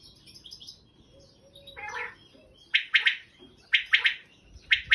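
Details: A wild common quail gives its sharp, liquid three-note 'wet-my-lips' phrase about once a second, with faint twittering from other birds early on.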